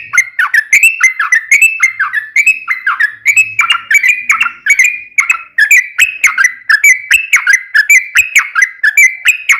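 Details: Yellow-vented bulbul singing its long rapid song, meant to spark singing in other bulbuls. A sustained run of quick, chirpy whistled notes, about three per second, with no pauses for nearly ten seconds.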